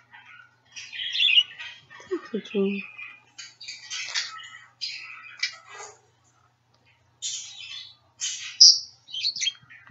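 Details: A two-year-old male pet budgerigar calls while looking for his friends in a phone; bursts of chirps, squeaks and scratchy chatter with short gaps, one short low sound near the start.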